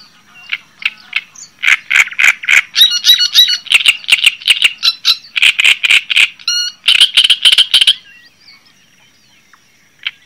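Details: Java sparrow singing a long run of rapid clicking, rattling notes interspersed with thin tinkling whistles, continuing for about eight seconds before stopping.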